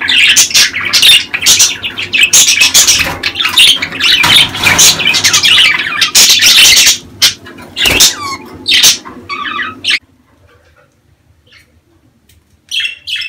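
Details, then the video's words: Budgerigar mating-season chatter, played to birds at least eight months old to encourage breeding and egg laying: continuous rapid chirps and harsh squawks for about ten seconds, then near silence broken by a few brief chirps. "دع اناث البادجي تسمع هذه الاصوات كي تبيض بسرعة"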